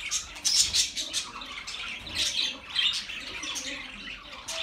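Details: Budgerigars, pet birds, sounds for lonely birds: high scratchy chirps and squeaky warbles in uneven bursts, a few brief louder squawks, several birds overlapping.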